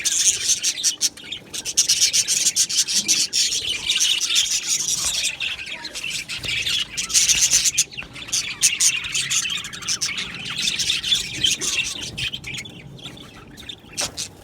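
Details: A colony of Australian budgies in an aviary, a continuous wall of high chirps, squawks and warbling chatter from many birds, swelling louder around the middle and easing slightly toward the end.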